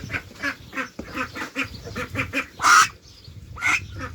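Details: A male Khaki Campbell duckling in a duck pen gives a run of soft, hoarse rasps about three a second instead of a quack, the raspy voice used for voice sexing, with louder quacks from a female breaking in.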